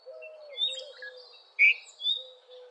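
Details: A Red-vented bulbul (Pycnonotus cafer) sings short, bright whistled notes with one loud rising chirp midway, over faint twittering from other birds and a low steady drone.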